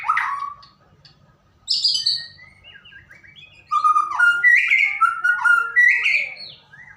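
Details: White-rumped shama singing in a recording played to coax another bird into song: a loud whistled note, a pause, a high burst, then a fast flowing sequence of clear, varied whistles and chirps.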